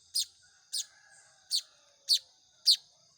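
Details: Hand-fed young Baya weavers begging with bright, piercing downslurred chirps, five calls spaced roughly half a second apart, a quiet hum running underneath.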